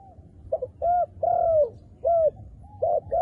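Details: A wild dove with dark feathers coos repeatedly, mellow low hoots alternating with a longer coo that dips at the close, a new phrase starting near the end.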